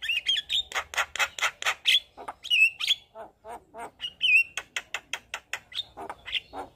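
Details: Persistent white-eyed Javan myna song packed with mimicked phrases, delivered with nodding: harsh squawking pulses in quick succession mixed with fluty, bending whistles and rasping notes.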